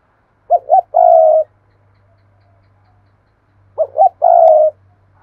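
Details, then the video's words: Cooing spotted dove kept as a lure bird in Vietnam: two repeated phrases, each of two quick doubled hoots followed by a long, throaty vibrating coo, with a faint low hum underneath. "Tiếng chim cu gáy thúc và gáy gọi mỗi ngày"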